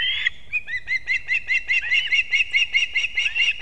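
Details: In Kurzeme, Latvia, a male osprey delivers two fish to the chicks at the nest, early morning, 3 September 2024. One drawn whistle gives way to a steady run of clipped, high chirps, about five per second, some doubled.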